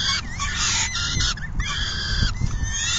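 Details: During a full feeding at a peregrine falcon nest on June 10, 2022, long, harsh harmonic calls follow one another with short gaps, some notes bending upward at the start.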